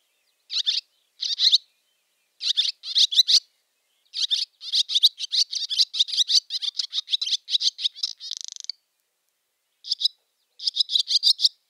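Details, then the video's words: Barn swallow chatter call: bursts of scratchy, high twittering notes in short clusters, then a near-continuous run of twitters ending in a brief buzzy rattle, and a few final twitter bursts after a pause; no other sounds. "How to attract Barn Swallow ? | Voice & Sounds | Chatter call"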